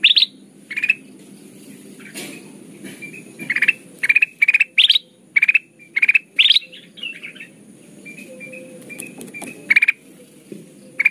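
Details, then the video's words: Lure recording of golden bulbul (kutilang emas): a lively series of chattering, pulsed bursts repeated about every half second, some rising, with scattered faint notes and quieter gaps, steady background hiss. "Suara pikat kutilang emas gacor"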